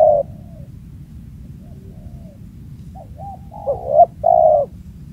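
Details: Wild spotted dove with a booming voice, heard at a previously used spot: a cut-off coo at the start, then a low hooting phrase of short and longer coos near the end over a steady low rumble.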